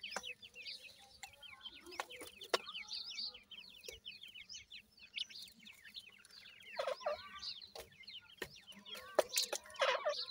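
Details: Grey francolin chicks keep up a steady stream of high, slurred cheeping, several birds overlapping, with brief louder noisy bursts toward the end and occasional knocks.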